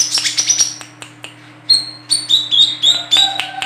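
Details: High, fast twittering trill from a female olive-backed sunbird kept as a lure bird, then a run of repeated sharp downslurred chirps, with a steady low hum behind.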